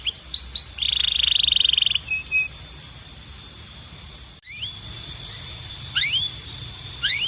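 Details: Belgian canary song for training birds: bright high whistled notes and a buzzy trill, then a pause and several quick upward-sweeping high notes over a steady high tone.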